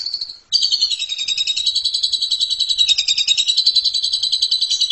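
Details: 'Ngeriwik' chattering song of an Asian pied starling, jalak suren, for masteran: after a short whistle comes a dense, fast, unbroken trill of high rattling notes that wavers slightly in pitch.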